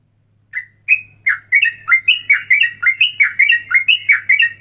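A straw-headed bulbul pours out rich, bubbling whistled notes in a quick rolling run, about three a second, over a faint low hum.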